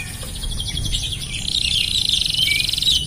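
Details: Canary singing long unbroken rolls used to tutor other birds; a dense, fast high trill running continuously, partly masked by steady background hiss and low rumble.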